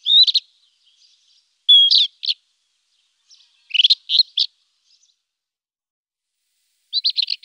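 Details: Song of a rufous-tailed scrub robin in four separated bursts of clear, rapid, high whistled notes, one with a sliding whistle, spaced by pauses of one to two seconds; clean background.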